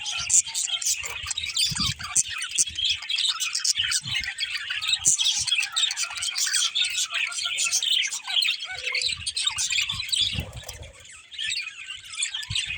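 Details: Budgerigars chirping, a continuous dense high warbling chatter of twittering notes, with occasional soft low thumps underneath.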